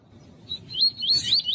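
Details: A brief tui-tui phrase from a double-collared seedeater: a steady whistle rising into a few bright, slurred upsweeps. There is a soft low rumble underneath.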